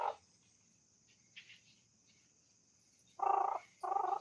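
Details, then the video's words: A pet Alexandrine parakeet talks in two loud, nasal, voice-like bursts near the end, imitating a telephone ring and saying "hello" and "haan haan", after a faint noise. "Talking Parrot Making Telephone Sound | Funny Parrot Saying Hello Haan Haan"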